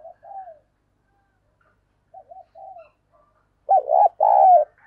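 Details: Spotted dove kept as a decoy bird, cooing to provoke a reply: soft, low coos at first, then two loud, rough, rolling coo phrases with bending notes near the end.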